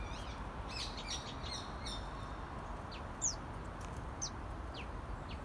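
A young common tailorbird gives a flurry of thin, high chirps, then sharp, downslurred notes spaced about a second apart, over a steady low rumble.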